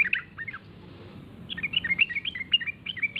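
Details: Sooty-headed bulbul (trucukan) lure call meant to make other bulbuls answer: a brief burst of bubbly notes, a pause, then a rapid string of chirpy, slurred whistles over faint low background hum.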